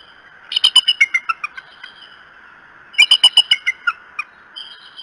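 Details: Bald eagles at the Decorah nest on a morning of 21 March 2018: two loud bursts of rapid, high, chittering notes that step downward, each burst about a second long, separated by a pause, with a steady background hum.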